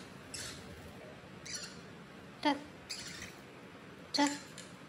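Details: Pet Pacific parrotlet on its 73rd day, having learned to say "go home" (回家); two brief harmonic, speech-like squeaks stand out against a quiet room, with softer noises between them.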